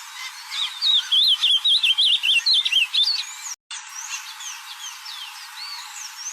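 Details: Ultramarine grosbeak singing in nature: a rapid warbled phrase of wavering whistled notes lasting nearly three seconds, followed by a pause with faint distant birdsong in the background.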